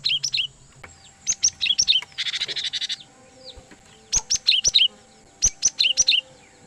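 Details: Cinereous tit (gelatik batu), a loud clear lure for catching wild birds: clusters of sharp, high, falling two-part notes, interrupted once by a dense buzzy chatter, then more rapid note series.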